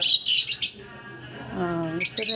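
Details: A newly arrived parakeet gives bursts of shrill, scratchy chirps, four quick ones, then two more after a pause, with a person speaking briefly in between.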